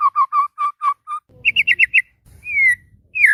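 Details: White-rumped shama in heated morning song: six evenly spaced mellow whistles, a burst of higher quick notes, then a long drawn-out falling whistle and a final downslurred note, with faint low rumbling behind.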